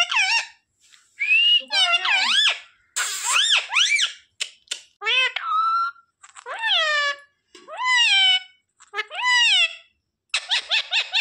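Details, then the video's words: Pet parrot talking and mimicking words, with squeaky speech-like phrases such as a repeated "mummy" and sharp whistles in broken bursts, alongside faint music. "Parrot talking mummy mithu ko roti do"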